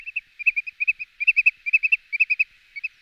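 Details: Wood sandpiper calls: short, clear whistled notes repeated in quick clusters of two or three, steady pitch, fading briefly near the end.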